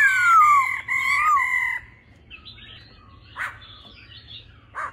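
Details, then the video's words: Laughingthrush song in 'old forest voice' style with female calls, meant to rouse a male: two long loud falling whistles, then quiet soft notes and a few brief noisy bursts. "khướu mái ro +trống hót giọng già rừng.kích trống nhanh căng lửa"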